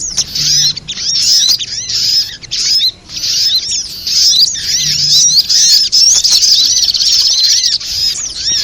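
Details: Spiderhunter trapping lure: a busy chorus of shrill, quick chirps and short rising and falling squeaks, repeated roughly every second, with a short dip in the middle.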